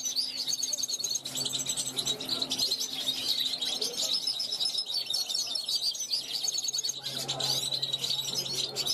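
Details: A 2021 young goldfinch on a balcony calls toward wild flocks passing by, pouring out unbroken, quick tinkling twitter phrases for the whole stretch, with a low electrical-sounding hum beneath.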